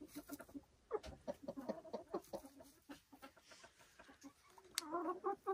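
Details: Silkie chickens on a Vermont hill homestead, busy clucking and soft chattering notes from several birds, ending with a drawn-out harmonic call after a sharp click.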